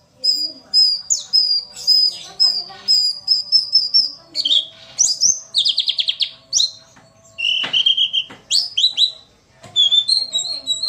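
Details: Female white-eye song used to provoke lazy males into singing quickly as in the wild: high, thin whistled notes, sustained tones and rapid buzzy trills, delivered in bursts with short pauses, clean and loud.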